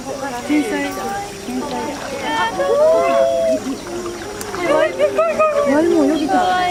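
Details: Call duck ducklings sunbathing and bathing; busy chorus of short bright peeps and longer wavering notes, overlapping rapidly, with splashing water and a human voice in the background.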